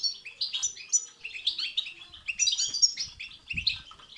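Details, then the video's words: Goldfinch batbata and satsata song to stimulate a goldfinch: a dense, lively chatter of tinkling and buzzy notes, almost unbroken, with a faint thump near the end. "بتبتة وستستة تخرج الحسون عن السيطره..... هيجان خرااافي تسببه هذه البتبتة نار على نار سيغرد حسونك"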